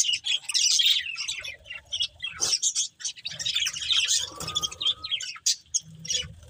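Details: A pair of breeding budgerigars keeps up a loose, scratchy high chatter of chirps and squeaks, with a short, lower whistled note around four seconds. A soft low rumble sits underneath.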